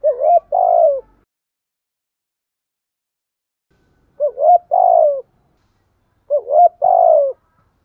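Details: Morning cooing of a decoy spotted dove, meant to draw in wild doves. Three matching phrases, each two quick rising hoots and then a drawn-out, slightly falling coo. A long pause follows the first phrase and a shorter one the second.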